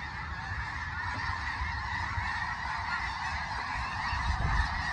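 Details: Massed snow geese calling together at Limestone Bay, north Alabama, captured on an iPhone: countless honks overlap into an unbroken clamorous chorus, with heavy low-pitched rumble beneath and a slight swell near the end.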